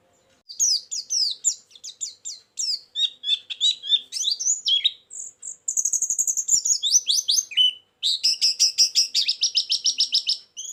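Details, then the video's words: Energetic, chatty white-eye lure song with filler material: long bursts of high, swooping, sweet notes, fast trills and rapid twitters with very short gaps, ending in a steady stream of repeated chirps. "suara burung pleci pikat+isian"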